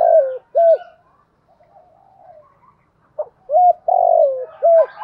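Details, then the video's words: Morning lure call of a captive decoy spotted dove: two soft coos open, a gap of low murmuring, then another phrase of clipped note, short coo, long sliding coo and final coo. "chim cu gáy mồi gáy gọi bổi buổi sáng"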